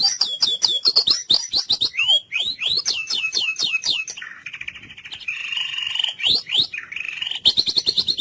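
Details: White-rumped shama song used as a training recording for other birds, in the cililin style: fast runs of sharp repeated notes, rising whistled sweeps and chattering phrases, then a long buzzy rising note near the end.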